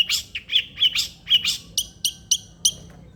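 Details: Long-tailed shrike song, used to prompt a lazy shrike to sing: harsh broadband notes alternating with short sharp downslurred chips, then a series of high clipped notes spaced about a third of a second apart.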